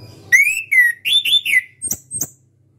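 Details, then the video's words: Orange-headed thrush, a national champion contest bird kept in captivity, singing: loud whistled phrases with harmonics sliding down, then two short sharp high notes, over a low background hum. "KICAU ANIS KEMBANG NGEPLONG"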